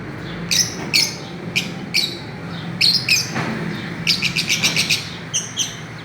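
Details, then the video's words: Several Fischer's lovebirds swinging and playing give repeated piercing chirps, singly and in quick pairs, with a rapid flurry near the end, over a low background hum. "Parrots playing and chirping"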